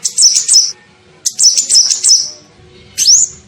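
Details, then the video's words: Lure call of the kolibri ninja sunbird: short bursts of piercing, rapid chirps, then a longer chattering run, and finally a single upward-sweeping squeal. "SUARA PIKAT KOLIBRI NINJA"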